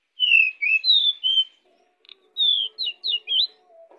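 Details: Pied bushchat in full, lively song, used as a lure for other birds: a run of clear, high, slurred whistles, a short pause, then a second burst of quick rising and falling whistled notes. A faint low hum sits underneath.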